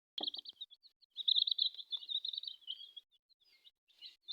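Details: Colourful domestic chicks peeping in a steady overlapping stream of high, thin chirps, with a soft tap at the start and brief pauses near the end.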